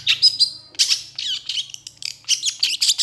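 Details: Pentet or cendet (long-tailed shrike) singing excitedly: a short, varied, scratchy chatter mixing rasping notes with thin whistled tones, delivered quickly and unevenly.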